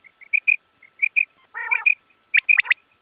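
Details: Quail sounds: short high piping notes in pairs, a brief buzzy nasal note in the middle, then a quick run of sharp whistled notes near the end.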